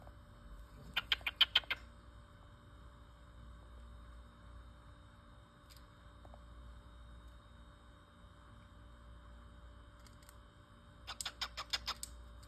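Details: A male cockatiel in his cage gives two quick bursts of sharp, rapid chirping notes, separated by a long quiet pause.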